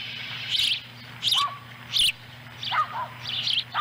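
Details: Ospreys at a nest in Lolo, Montana, July 18, 2017, as an adult female delivers a small fish to the chicks. Short high chirps, spaced irregularly about once a second, with some lower thin whistles and a steady low hum.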